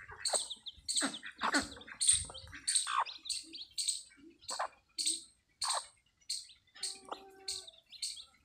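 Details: Farm chicks just hatched under a desi hen give sharp, high-pitched peeps in a fast, uneven series, with occasional low clucks and a brief tonal buzz near the end.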